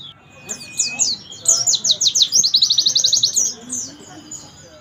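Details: Javan white-eye from Pacitan, known locally as pleci dakun, singing vigorously: high, thin notes open with a few quick downslurred chirps, then speed into a rapid, even trill of about a dozen sharp notes before tailing off into scattered chirps.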